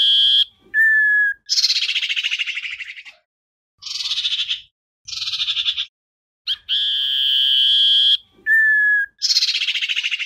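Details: A Common iora decoy bird, used to call a flock and lure birds, gives sustained pure whistles, some high and some low, alternating with buzzy, rattling trills, phrases about every second.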